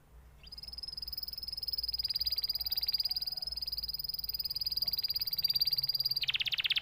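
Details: Canary holding one long, ringing, high trill for several seconds, steady in pitch with bright overtones, ending abruptly in a coarse buzzy roll.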